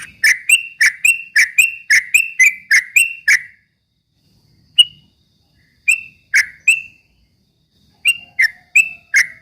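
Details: Straw-headed bulbul song meant to stir up rival birds: a fast burst of bright, clipped notes, then silence, then isolated ringing notes returning in a loose rhythm.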